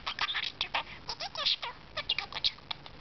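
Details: Talking pet budgerigar producing fast chattering syllables, scratchy and warbled with brief whistled tones, in quick bursts separated by short pauses.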